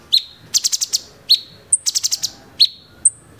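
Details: Bulbul known locally as cucak cungkok, singing 'tembakan' phrases. Crisp high whistles, some sliding, interleave with fast volleys of four or five piercing clicks, delivered in a tight, energetic rhythm.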